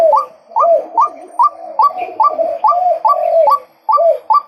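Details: Male white-breasted waterhen repeating a short, harsh note that sweeps upward, about eleven times in under five seconds, with a rough, churring undertone between calls.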